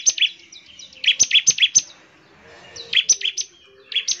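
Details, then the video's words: Bar-winged prinia in lively full song, meant to prompt other prinias to sing: bursts of sharp, high, rapid chipping notes repeated quickly, pausing briefly between phrases. "CIBLEK GACOR, NEMBAK NGEBREN UNTUK MEMANGGIL CIBLEK CEPAT BUNYI GACOR"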